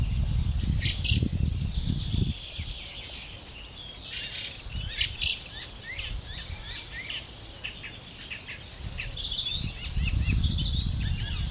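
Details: Young fieldfare calling while waiting for parents to arrive with food, 20 May 2013; sharp high chirps in rapid irregular bursts, a brief pause, then denser chirping, over low rumbling noise.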